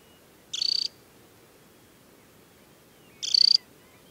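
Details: At Tinnhølen lake, Hardangervidda mountain plateau, Norway, in early July, a banded adult Temminck's stint in summer plumage repeats a high, stuttering, rattled trill twice, about two and a half seconds apart.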